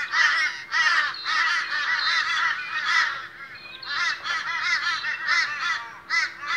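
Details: A group of Australian crows calls at a morning gathering, loud grating caws overlapping thickly at first, thinning slightly after three seconds, then rising again, over a faint hum.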